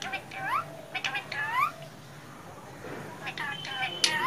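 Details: Captive female plum-headed parakeet from India speaking words: bursts of rising, nasal, harmonic syllables, a quiet pause midway, then more sliding notes with a brief steady whistled tone.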